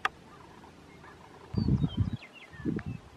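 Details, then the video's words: Male Sharp-tailed Grouse displaying in Colorado on 29 April 2016, twisting and stamping their feet fast, give low, hollow, rapidly pulsed display sounds in two short bouts, with faint high chirps of small birds behind. "Sharp-tailed Grouse (Tympanuchus phasianellus) Males Displaying"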